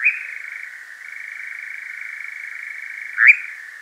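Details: European nightjar in Devon, South West UK, churring at night into a parabolic microphone: a continuous rattling trill, softly wavering, with a sharp louder rising note near the close.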